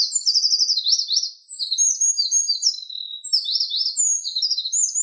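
A Eurasian wren pours out a loud, rapid, high-pitched song of tumbling trills and sharp notes, run together without a break.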